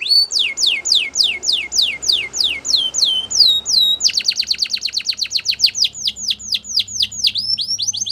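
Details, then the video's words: Song of a Spanish Timbrado canary for training birds: a series of steeply falling whistles, then a switch to a rapid trill of short repeated notes before broader descending sweeps return. "Spanish Timbrado Song For Training"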